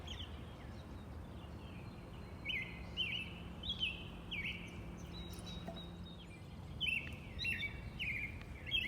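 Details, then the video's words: Robin singing outside: clear descending chirps come in loose runs, with a quieter stretch in the middle and steady background rumble throughout. "The peaceful sounds of the Robin bird"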